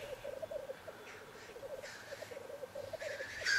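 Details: Displaying black grouse males at their lek arena, courting and fighting to win a female: steady rolling bubbling coos throughout, with several faint hissing sneezes in the background and a louder one at the end.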